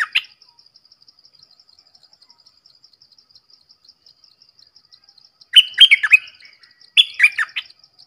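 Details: Red-whiskered bulbul song: a brief phrase, a long pause filled with fine insect ticking, then two lively phrases of rolling, whistled notes close together.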